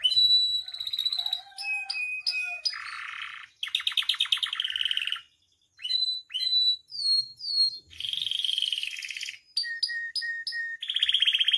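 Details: Captive canary song meant to teach and stir other canaries into singing: varied bursts of buzzy rolls, steady high whistles, rapid trills and upslurred chips, cut into pieces by short silent gaps.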